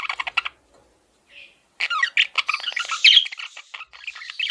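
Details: Male parakeet in captivity: quick chirps, a brief pause with one soft note, then dense rapid scratchy warbling and squeaks to the end.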